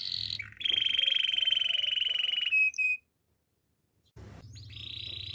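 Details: Domestic canary song used for training canaries: a long steady buzzy trill near the middle of the range for about two seconds, a short higher note, a second of silence, then another steady trill begins.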